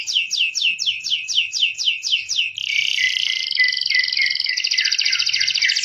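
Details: Yellow canary in full song, played to help young canaries learn: a row of sharp descending whistled notes, then a dense rolling trill shifting between higher and lower pitches, loud and continuous.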